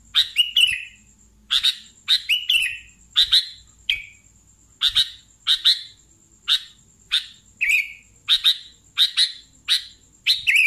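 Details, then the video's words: Sooty-headed bulbul giving a long series of crisp chirps and short slurred notes, roughly one or two per second, some doubled, with a constant thin high whine underneath. "BURUNG KUTILANG GACOR"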